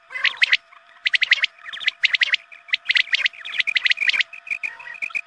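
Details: Quail calling used at dawn prayer time to attract quail: crisp chirps grouped in quick bursts of three or four notes, repeated roughly every second, trailing into thinner single notes, over a low hum.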